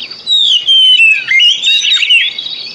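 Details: Oriental magpie-robin singing a loud, continuous stream of clear descending whistles and twittering trills, a lure recording for birds that have stopped singing.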